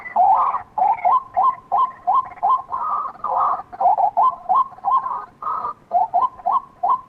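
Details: Repeated clucking notes from a white-breasted waterhen, delivered quickly and unevenly, mixed with longer harsh, braying phrases.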